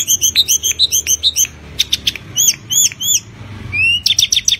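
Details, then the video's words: Tledekan gunung, a Javan songbird kept by bird hobbyists, singing vigorously to stimulate other birds: rapid high twittering of down-slurred chirps, paused phrases of bright notes, and a rising whistle before a quick chirping series. "Burung Tledekan gunung gacor NYENGKLAK cocok untuk mancing bunyi"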